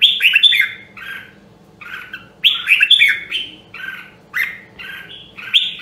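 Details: Nam Dong, Hue red-whiskered bulbul, a rare voice line, trained to sing: loud bursts of sweet, tumbling whistles alternating with softer short phrases, grouped in two main outbursts across six seconds.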